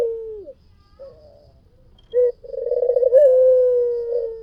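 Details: White dove in full lively song: a short low coo, then a rolling, purring coo that swells and holds a steady mid-low tone for over a second before fading.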